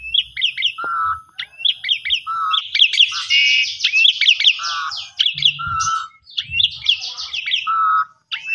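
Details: Asian pied starling singing in the kopi-kopiko style as a lure recording: bursts of sharp rising chirps alternating with a steady, level whistled note, repeated several times, with a faint high constant tone and occasional soft low thumps.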